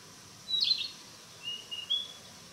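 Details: Narcissus flycatcher in the mountains, practising song: one high squeaky whistled phrase, a gap, then a soft drawn-out thin whistle with a slight rise.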